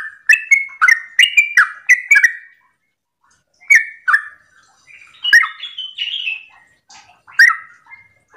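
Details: Yellow-vented bulbul in morning 'ropel' song, used to make other bulbuls sing along; a fast cluster of chirps, a silent gap, then scattered notes including a higher, more drawn-out warble near the end.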